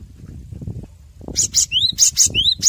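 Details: Cinereous tit song, a master recording for training caged birds. Bright upslurred whistles alternate with harsh, buzzy high notes in a quick repeated phrase, with faint low rumble before it.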